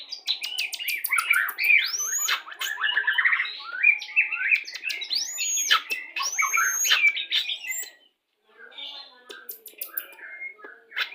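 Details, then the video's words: White-rumped shama 'pastol' song used as a lure when pairing birds to bring on breeding condition; rapid chattering runs, clicks and looping whistled notes, then quieter scattered phrases after a brief pause. "PANCINGAN MURAI BATU PASTOL CEPAT BIRAHI"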